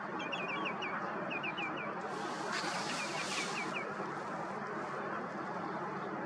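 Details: Colour-ringed Eurasian whimbrel, aged 3, at Lourido, Ría de Pontevedra, Spain, April 2024, giving rapid rippling whistled titters of five to seven notes in three bursts over steady background noise with a louder rush midway.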